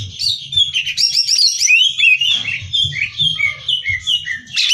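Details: Greater green leafbird singing a lively competition-training song: continuous high whistled phrases, sliding up and down, mixed with quick chirps and buzzy trills, steady throughout.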